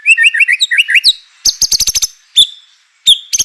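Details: White-rumped shama song used to goad other shamas into singing: quick run of warbled paired notes, then a rapid burst of harsh clicks and loud sharp whistled notes.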